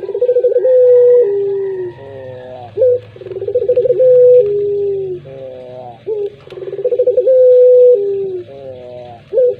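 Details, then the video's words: Collared dove of the puter pelung type, cooing steadily: each phrase opens with quick pulsed stutters, holds a long flat tone, then falls lower. About three phrases, separated by brief wavering, rising harmonic tones. "Misteri Suara Burung Puter Pelung"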